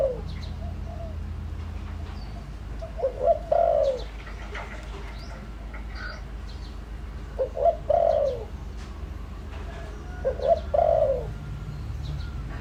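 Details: Spotted dove decoy cooing to draw in wild doves: three widely spaced phrases, each a few quick notes ending in a longer descending coo, with faint chirps in the background.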